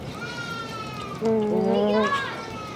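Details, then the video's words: Nēnē, the rare Hawaiian Goose and state bird of Hawaiʻi, giving a steady nasal honk with rich even overtones lasting about a second, preceded by a thin level whistled tone; soft background hiss. "Nēnē (Hawaiian Goose)"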